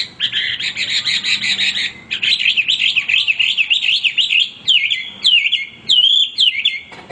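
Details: Caged male hwamei in full nonstop song: a harsh buzzy burst, then long wavering whistled runs and several loud rising-falling whistled notes separated by short pauses.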